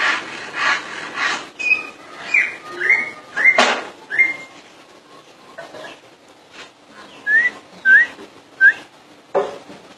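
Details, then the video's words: Common iora singing nonstop: varied whistled notes, some flat and some rising, in irregular bursts, mixed with sharp knocking and clattering sounds, ending with three clear upslurred whistles. "burung cak ijo full dor"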